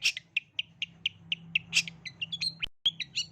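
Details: Long-tailed shrike song as a lure for young birds: evenly spaced short harsh notes about every quarter second, then higher clipped whistles after a brief cut; steady low hum underneath.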